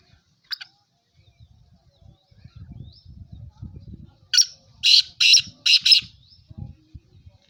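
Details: Black francolin (kala teetar) calling in Sindh, Pakistan: a single harsh note, then a fast run of four loud, grating, broadband notes about half a second apart, over low rumbling background noise.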